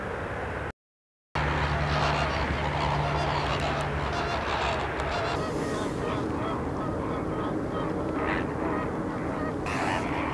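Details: Flamingos at the salt lake near Larnaca, Cyprus, honk and gabble as a crowd; a low mechanical hum runs beneath the first half, and the sound drops out briefly early on.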